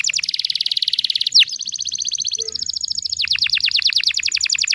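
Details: Female canary lure sound for young canaries: a fast buzzy trill, a single sharp sweep, a flat high rattle, then a run of repeated falling notes, with faint low hum behind.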